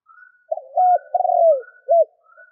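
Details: Decoy spotted dove cooing to attract wild doves: one low phrase of a short note, level hoot, long rolling falling coo and brief arched ending, with soft higher whistles in the background.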